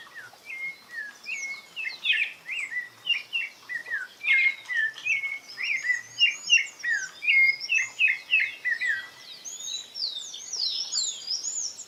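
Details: Rufous-bellied thrush (Turdus rufiventris) giving a timid song in the wild: soft, hesitant short whistled and chirping phrases, about three a second, with light background noise.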